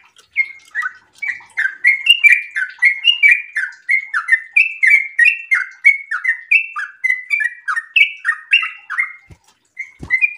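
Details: Long rapid 'ropel' song from a sooty-headed bulbul in breeding condition. Fast clipped whistles, many falling in pitch, run continuously for about nine seconds before two faint thuds.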